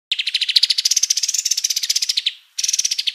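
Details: Kapas tembak white-eye singing vigorously as a vocal tutor: a fast, high, buzzy trill of rapid repeated notes running over two seconds, a short pause, then the trill resumes.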